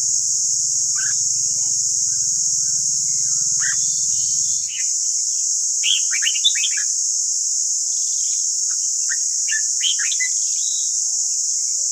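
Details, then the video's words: Red-whiskered bulbul (white-cheeked type) heard for training caged birds: sparse, scattered whistled notes, then a brisk cluster of warbling notes midway and a few more near the end, against a steady high hiss; a low hum fades early. "Luyện giọng chào mào ép bổi ép má trắng"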